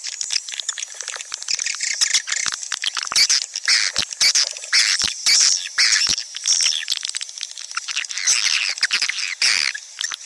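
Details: Swiftlets chatter in a dense, overlapping stream of high, dry chirps and twittering clicks, nearly two a second, many birds calling at once; a recording used as swiftlet-house attraction sound.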